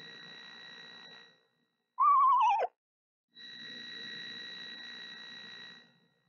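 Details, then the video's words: Female screech owl incubating her eggs, singing softly to them near hatching time on March 28th; one quavering, tremulous whinny descending in pitch, about three-quarters of a second long, with steady background hum before and after. "Mother Screech Owl Sings To Her Eggs"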